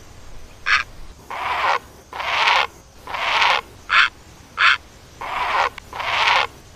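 Great egret giving harsh, rasping croaks, about nine in under seven seconds, longer grating notes mixed with shorter clipped ones, over a quiet background.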